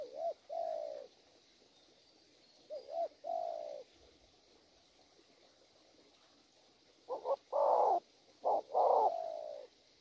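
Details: Wild-caught spotted dove, valued for its fine cooing pattern. It gives a run of low, mellow coos: paired short notes, each followed by a drawn-out coo. After a pause comes a louder burst of several coos.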